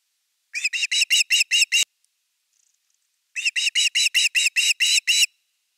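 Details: Evening fish at osprey nest #3, Finland, 30 August 2021, live nest camera. Seven piercing whistled cheeps, a faint click and a gap, then a second run of nine cheeps.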